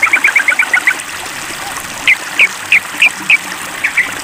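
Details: Sooty-headed bulbul calling out to a rival in a mental test. A quick chattering run opens the recording, then single sharp upslurred notes follow about every third of a second, over steady watery background noise.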